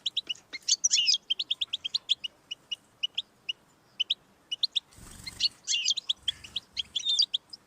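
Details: Goldfinch song meant to prompt a pet bird to sing, a lively string of high tinkling chips and twitters, then a harsh buzzy rasp with a low rumble before the twittering picks up again.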